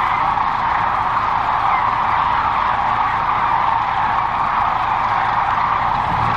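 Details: A large flock of sandhill cranes coming in to feed in a corn field near Gibbon, Nebraska, on 14 March 2014 gives rolling, trumpeting calls that merge into a steady, unbroken chorus with no single voice standing out.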